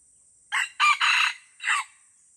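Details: Wild red junglefowl from Aceh, in the Lamteuba forest, amid fighting: a loud four-part crow, a short opening note, then a longer broken middle phrase and a falling final syllable, over a faint steady high insect hiss.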